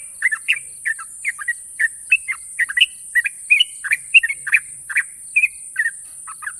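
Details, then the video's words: Champion Yellow-vented Bulbul at national level, singing ropel style, long and sharp: a continuous run of bright rising and falling whistled notes, paired and tripled, with background hiss. "burung trucukan juara nasional ropel panjang dan tajam"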